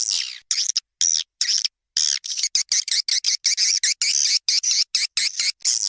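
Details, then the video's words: Swiftlet lure call for attracting swiftlets, made of fast chattering bursts of high twitters broken by brief silences, rushed and uneven. "SUARA PANGGIL FULL BIRAHI +++ !!! WALET LANGSUNG KIS-KIS"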